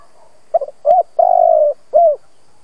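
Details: Older decoy spotted dove meant to trigger cooing in other doves gives a quick stuttered note pair, a short coo, a long sustained coo and a final falling coo.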